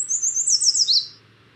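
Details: Male Yellow Warbler, a lemon-yellow bird common in riparian areas across Montana, singing a quick, bright run of high, sweet whistled notes, about eight in one second, ending on a lower slurred phrase.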